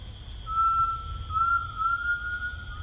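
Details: Rainforest tinamou gives a clear, sustained whistle lasting over two seconds, steady in pitch with a gentle upward drift, set against steady shrill insect drone and low background rumble.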